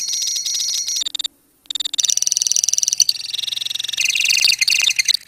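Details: Colony lovebirds giving the ngekek song: shrill, fast, pulsed trilling with one short pause, followed by dense, rattling chatter that grows louder toward the end.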